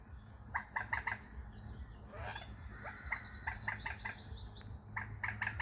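Waterbird calls in short stacked bursts, with high thin twittering notes above and a steady low hum beneath.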